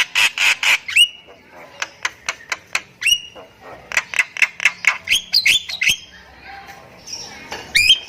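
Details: Nias hill myna singing, kept bird, played to prompt silent mynas to sing: loud harsh squawks and sharp whistled notes in rapid bursts, some rising whistles, with short pauses between phrases.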